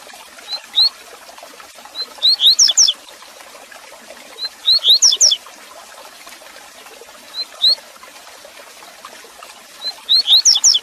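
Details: Double-collared seedeater (coleiro tui-tui) giving its tui-tui "repicador" song, used as a training song for captive birds: high, sharp whistled phrases repeated every few seconds.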